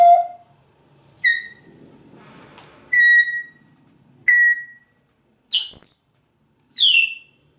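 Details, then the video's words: Einstein, a pet African grey parrot hanging out in an office, gives six clear whistled notes over eight seconds, steady then sharply rising and falling, with a brief breathy rustle between. "More whistles and tweets"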